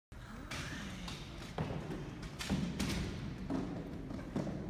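Dull thumps and knocks with some low murmuring voices, with no animal call heard.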